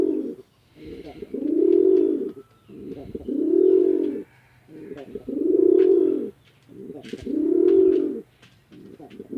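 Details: Domestic pigeons, male and female, kept at a house pigeon farm in a village of Chittagong District, Bangladesh, during fighting: deep, rolling coos swelling and fading in long bursts about every two seconds, with faint clicks and rustling between.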